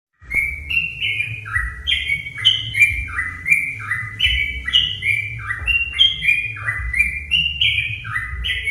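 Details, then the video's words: Sooty-headed bulbul song used as a lure to provoke other bulbuls into singing: a steady run of short, liquid whistled notes stepping up and down in bubbly phrases, over a low constant hum. "pancingan burung trucuk"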